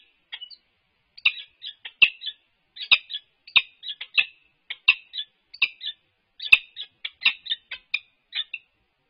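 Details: During head bowing and nest scrape courtship on 4 March 2022, the resident UC Berkeley peregrine falcons give scratchy, creaking chips, starting sparse, then grouped in quick clusters of two to four notes with brief gaps, picked up by a livestream camera.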